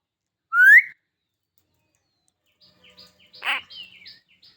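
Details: Talking common myna gives one loud, clear rising whistle, then after a pause a scatter of short harsh notes and a brief whistled phrase that slides downward.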